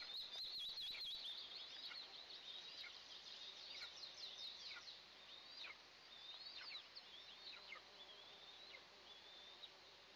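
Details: Two Eastern imperial eagle eaglets at their first morning feeding, June 29, 2024, nest camera; begins with a brief burst of rustling clicks, then high, quick chirps and downward-slurred squeaks repeat about twice per second.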